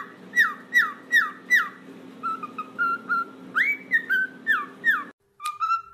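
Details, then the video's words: Cockatiel whistling over a steady background hum: several falling whistled notes repeated about every half second, then lower level whistles and rising slurred notes, ending with a sharp click. "cockatiel bird singing and talking"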